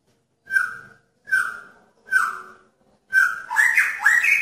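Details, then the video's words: Male magpie-robin in a pairing cage calling to attract a female: three separate clear falling whistles about 0.8 seconds apart, then a louder, rich warbled phrase that rises in pitch. "Murai Jantan Menarik Perhatian Murai Betina dalam Kandang Jodohan"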